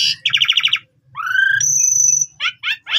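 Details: Asian pied starling song, used as a lure for other starlings: a quick rattling series of buzzy notes, then a rising whistle and a long high pure tone, ending in short chirps over a low background hum.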